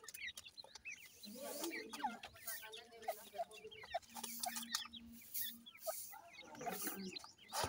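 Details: Kala teetar (black francolin) chicks chirping continuously in a dense overlapping chorus, with a sustained low humming tone and soft clucks in the background.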